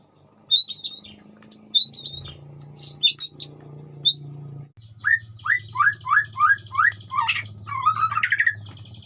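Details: Captive white-rumped shama (murai batu) in a colony breeding cage, singing lively with odd sounds mimicked from nearby wild birds such as truwok or ruak-ruak; high varied whistles, then a run of repeated rising notes over a low steady hum.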